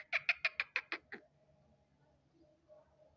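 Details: Black francolin calling: a quick series of about seven harsh, evenly spaced notes over roughly one second, then quiet with faint background hum.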